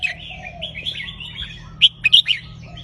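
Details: Red-whiskered bulbul in a cage, counted-phrase song used to get birds singing; soft rambling warble gives way near the end to a crisp run of four loud whistled notes.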